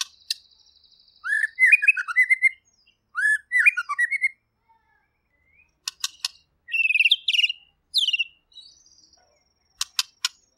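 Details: White-rumped shama, called murai pastor, described as chatty and clear, singing short bursts of varied whistled phrases that rise and fall, with sharp clicks and pauses between bursts.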